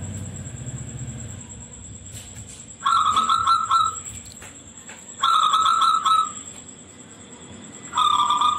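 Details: Local zebra dove with a shrill song, used as a lure to coax other doves into singing. Three quick, beaded coo phrases come at roughly two-second gaps, after a low rumble at the start.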